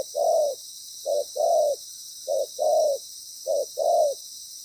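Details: Spotted dove used as a ground decoy for trapping. The loud, well-patterned bird is moulting and wary. Low hollow coos come in short-long pairs, about one pair per second, over a steady high hiss.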